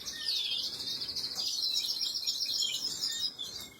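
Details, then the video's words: Canary chicks being fed, 26 April 2022: a continuous, shrill, buzzy high twitter, with rapid overlapping cheeps that fade slightly at the very end. "خواردن دان بەبێچوی کەناری،أطعام فراخ الكناري,Canary Feeding Baby"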